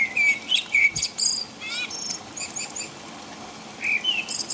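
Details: A blackbird sings at night during rain in England: rich fluting whistles lead into a thin, squeaky high twitter, a quiet gap follows, then another whistled phrase starts, with soft rainfall throughout.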